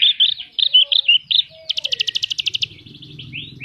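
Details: Horsfield's bush lark in lively gacor song with isian fills: rounded, repeated chirping notes, then a rapid even trill of about fifteen pulses and a few downslurred notes, with a faint low hum at the end.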